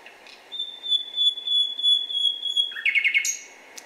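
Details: Male common nightingale (Luscinia megarhynchos) singing a whistle strophe, one of about 200 strophes each male has: one long, pure, steady whistle for about two seconds, then a fast rattling run ending on a sharp high note.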